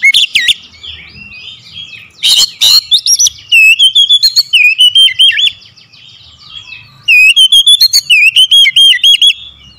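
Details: Oriental magpie-robin (kacer) lure song meant to prompt quiet birds to start singing: loud, varied whistled phrases with rising and falling slurs, rapid repeated chirps, harsh bursts, and short pauses between runs.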